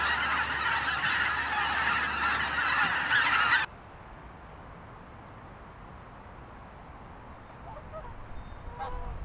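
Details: A dense chorus of high, yelping Greater white-fronted goose honks in Japan pours out for about three seconds, then fades to a quiet hiss with a faint call near the end.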